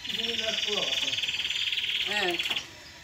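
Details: Canary song for mating stimulation and for chicks to hear: a long buzzy rolling trill with low, curving, voice-like sounds and murmurs beneath it, ending abruptly.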